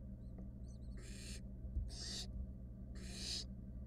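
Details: Three nestling barn owls and their mother in a wild nest box; three long rasping hisses follow a few faint high chirps, with a constant low electrical hum behind.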